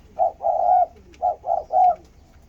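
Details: Having just seen its mate, a spotted dove utters five loud, hoarse, flat-pitched notes in two groups, short and long notes alternating.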